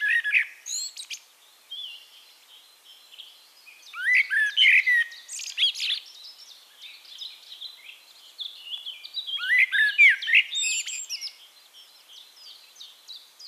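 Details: Blackbird song in Castricum, the Netherlands, amid a busy chorus: several bursts of varied warbles and sharp high twittering notes, overlapping with other small birds calling in the background.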